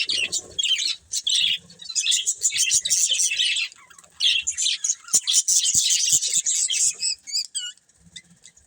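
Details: A breeding pair of budgies chirping in quick bursts of high, buzzy twitters and squeaky warble phrases, separated by short pauses.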